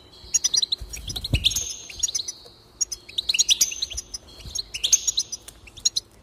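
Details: Goldfinch song played to raise a goldfinch's enthusiasm for singing: three energetic bursts of chattering twitters and buzzes with short gaps between, plus a faint thud near the start.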